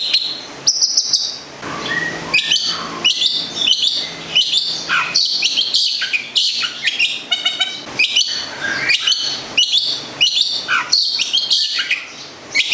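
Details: Long-tailed shrike, a local cendet from Gedong Songo, Central Java, kept as a songbird: a dense, varied song of high chirps, rapid trills and sharp whistled notes, delivered in continuous bursts with brief pauses.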